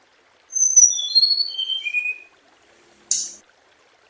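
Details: Song of the scarlet minivet: one descending run of clear, high whistled notes, each lower than the last, followed by a short rustling click.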